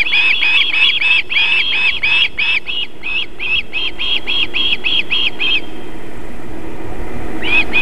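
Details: At a South Estonian nest in Võrumaa, a female osprey feeds her chicks on a July 2021 evening; a long run of fast, evenly spaced piping chirps stops abruptly, leaving low rumble, then calling resumes briefly at the end.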